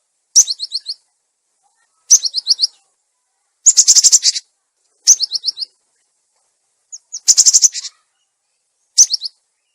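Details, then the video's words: Cinereous tit lure and tutor recording: short bursts of four or five high, bright chirps repeated every couple of seconds, alternating with harsh buzzy chatters. "Suara pikat burung gelatik batu"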